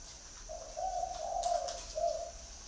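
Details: One phrase of a spotted dove call: a low, smooth, drawn-out coo that swells then ends on a short separate note, with a faint click and a steady high hiss behind it.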